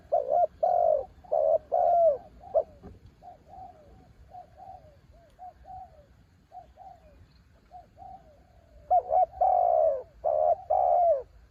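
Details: Mountain-bird spotted dove in ต่อกิ่ง style: loud coos at the start, then a stretch of much softer, fainter coos, before the loud, rich cooing resumes strongly near the end.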